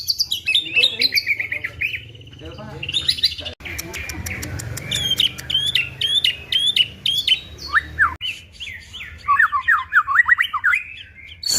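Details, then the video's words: Caged white-rumped shama song with a learned female prinia imitation: fast, varied phrases of sharp rising and falling whistles, buzzy chips and stuttering notes at high pitch, with brief pauses between bursts. A faint low hum runs underneath. "Muray batu isian prenjak betina"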